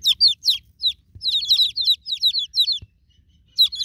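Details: Newborn domestic chicks calling for their broody mama hen, a dense chorus of piercing, falling peeps in fast succession, pausing briefly before resuming.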